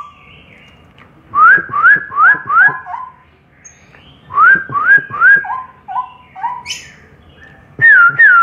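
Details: Three straw-headed bulbuls singing; loud, liquid whistled phrases of three or four quick upslurred notes, a pause, then another run ending in lower flutey notes, and a final looping warbled whistle; faint low background hum.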